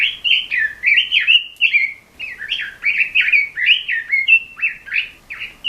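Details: Training recording of a Red-billed leiothrix for caged songbirds: bubbling, rapid series of whistled up-down notes in repeated bursts, with one short pause near the middle.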